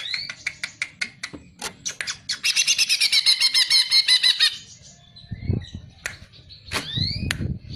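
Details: Masteran recording of greater green leafbird (cucak ijo) singing: quick run of staccato notes building into a loud, rapidly repeated whistled trill, then brief whistles over low thumping handling noises.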